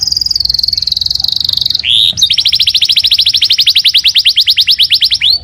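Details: Canary song used as a lure for another canary to reply: a high sustained rolling trill, a short slurred note, then a long fast pulsed trill of bright repeated notes ending in a swooping whistle.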